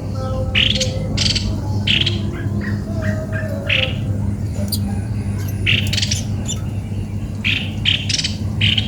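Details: Cucak kopi-kopi, described as odd-sounding, repeating short harsh squawks in quick irregular series, some doubled, over a continuous low droning hum.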